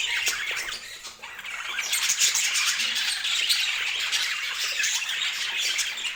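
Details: Colorful pet budgerigars giving rapid, overlapping chirps and squawks, with many sharp clicking ticks at the start and the high, raspy chatter growing fuller and louder after two seconds.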